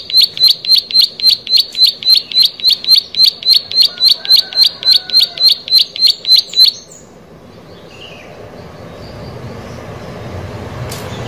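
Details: Plain prinia singing vigorously: a fast, steady series of sharp, high, ticking notes, roughly three or four per second, lasting about seven seconds before stopping abruptly, followed by quiet background hiss.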